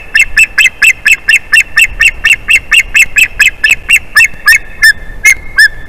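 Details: An adult male white-tailed eagle with an unusually youthful, chirpy voice calls from the nest tree as his mate returns on an April afternoon. Loud, sharp chip-like yelps repeat steadily, then spread out and slow near the end.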